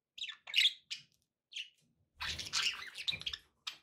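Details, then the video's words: Pet budgerigars kept for relaxation listening: short buzzy chirps and squawks high in pitch, a few isolated notes followed by a dense burst of overlapping chatter, with faint low background noise. "budgie sounds with background noise for relaxation"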